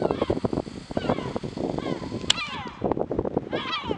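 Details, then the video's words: Yellow-legged gull below the castle in Alicante, 2/10/2021, giving harsh, nasal, repeated calls, some sliding downward, overlapping other gull voices; a sharp click midway. "Gull (Larus michahellis) calling"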